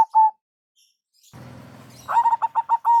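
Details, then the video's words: A local zebra dove sounds its lure call: one clean coo, a stretch of low rustling noise, then a rapid, stuttering string of mellow coos finishing on a longer drawn note. "Perkutut Lokal Suara BESAR ISTIMEWA"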